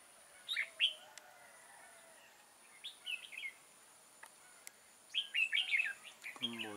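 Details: Red-whiskered bulbul serving as a trapping decoy, recorded 6 October 2018; scattered bright warbling phrases, loudest near the end, over a quiet background with clicks, a thin steady high tone and a low rumble at the close.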